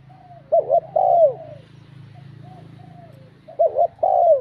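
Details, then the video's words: Spotted dove uttering bell-toned coos meant to provoke rival males, two paired falling notes separated by a pause, with a steady low hum behind. "Giọng chuông thúc gù kích bổi, chim cu gáy"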